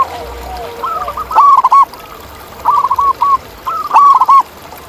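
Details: A wild zebra dove sings outdoors, trilling strings of soft, rapidly stuttered coos in three short phrases, with fainter dove notes and light background noise.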